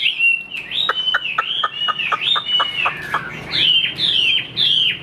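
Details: Tame caged hwamei singing without hesitation while the cage is handled: a quick series of sharp repeated notes, then loud, sweeping high whistled phrases rising and falling, with a faint low hum behind.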